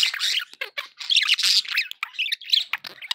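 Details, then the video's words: Nonstop budgerigar warbling intended to keep pet birds company: dense overlapping chirps, squeaks and scratchy squawks with hardly a pause, rising and falling in loudness. "1 hour of budgie sounds for pet parakeets to make tham happy"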